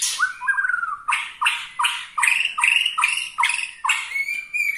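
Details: White-rumped shama of the Borneo style, singing to anger other shamas: loud series of short phrases, each a sharp upward-swept note followed by a rich warbled slur, repeated roughly every half second.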